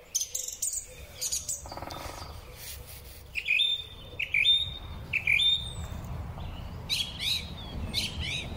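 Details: Song thrush singing in spring, recorded on a Huawei P30 Pro phone: a short whistled phrase with a sharp upper flourish repeated three times, then a buzzier rising figure repeated three times, over soft rustling.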